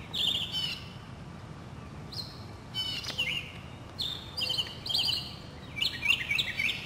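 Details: Spring song of a Northern mockingbird in a South Carolina city neighbourhood, 2008: varied short phrases, sharp chirps and slurred whistles, given in groups with brief pauses, other birds faintly in the background.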